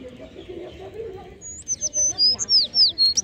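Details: Sparrows calling: after a quiet, murmuring start, a run of thin, high, slurred whistles and short chirps repeats about four times a second, loud and close, over faint low background hum.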